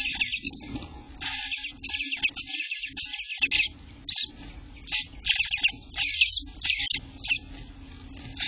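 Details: Day-18 Eastern bluebird babies in the nest, June 2021 morning: a series of high, rasping bursts of chatter, some long and some brief, separated by short quiet gaps over a low hum.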